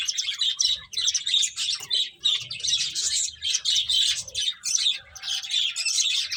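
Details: Finches chirping as they eat, a busy overlapping chorus of rapid high twittering notes that continues almost without a break.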